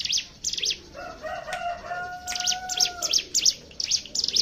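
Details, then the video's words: Hill prinia lure song in the ngebren style: quick high chips interrupted by a long flat lower tonal call, then the chipping returns in a fast, uneven series. "pancingan ciblek gunung bahan ombyokan"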